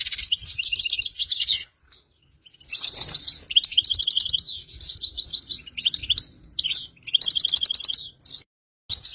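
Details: Breeding song of a European goldfinch, intended to push a female into mating: rapid bursts of bright, high twittering and liquid chirps in phrases of one to two seconds, broken by short pauses, the notes jangling and slightly buzzy.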